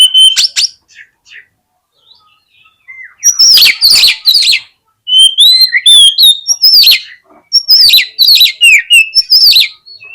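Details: Oriental magpie-robin (kacer) song used as a lure to provoke a lazy bird into opening its tail and fighting. A short opening burst and a pause, then loud bursts of sharp whistled and chattering phrases, some rising and some falling, repeated with brief gaps.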